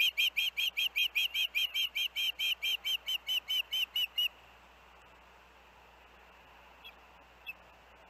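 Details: Osprey around the Hellgate nest with the young, August 23, 2024, on a day of earlier dangerous winds: a rapid run of about eighteen sharp whistled chirps over four seconds, then quiet with a couple of faint clicks.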